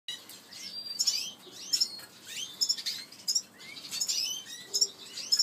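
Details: A red-fronted serin (Serinus pusillus) chick begs with high, thin chirps and quick twittering notes in bursts about every half second while being fed.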